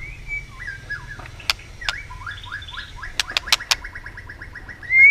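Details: White-rumped shama roused for competitive singing, clicking and flicking its tail: soft run of short descending whistled notes repeated steadily, punctuated by several sharp clicks, ending in a louder rising whistle.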